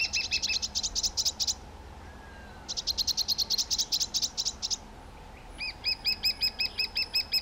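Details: Two young White-tailed Eagles give long, rhythmic runs of high, ringing, yelping notes, two rapid series separated by a pause, then a steadier series of slightly curved whistles.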